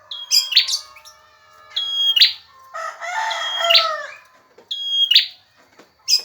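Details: Male bar-winged prinia, a recording for training other birds: high whistle-and-buzz phrases repeat every one and a half seconds, broken midway by a burst of lower, harsher chattering.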